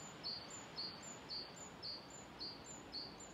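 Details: Great tit singing near Ryggisspåret, Haga, on 28 February 2024, with many great tits around: a rapid two-note phrase, a high thin note dropping to a lower one, repeated about twice a second over a steady background hiss.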